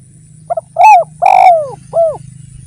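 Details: Spotted dove phrase from a lure recording: two quick pips, a rising-falling coo, a long descending coo and a final softer arched note, over a steady low hum.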